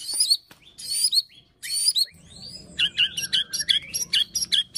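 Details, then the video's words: Fighter-style song of a white-rumped shama, meant to provoke other shamas into singing: three bright whistled phrases, then rapid repeated sharp chips, roughly seventy a minute, over a faint low hum. "MURAI BATU PASTOL FIGHTER PEMANCING EMOSI MURAI BIAR NGEPLONG"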